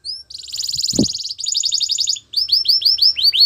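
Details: Canary delivering a buzzy, rolling trill of rapid pulses, a short break, then a second rolled passage and a series of clear arched whistled notes; a single soft thump sounds early on.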